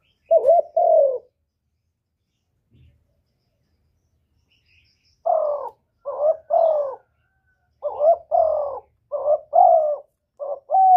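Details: Spotted dove giving a lure call meant to make other doves coo back: low hollow coos, each a short note and then a longer drawn-out one, with one phrase at the start, a quiet pause, then a fast run of phrases.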